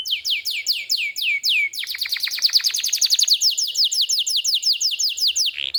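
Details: Lively canary song from a training recording for young birds and canaries that have stopped singing: fast downslurred whistled notes, then a long rapid series of sweeping notes repeated many times per second, closing on a short rising note.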